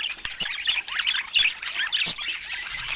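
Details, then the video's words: Several budgerigars sharing soft, affectionate chatter in a quiet moment: dense, high-pitched warbling twitters and squeaks, continuous, with occasional sharp clicks, no speech or music. "Cute Budgies Sharing Soft Love Sounds"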